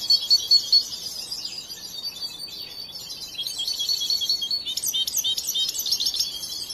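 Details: Song of a young European goldfinch, raised since hatching and still learning: a few clear repeated high notes open, followed by a long run of rapid buzzy, tinkling twitters that grow busier toward the end.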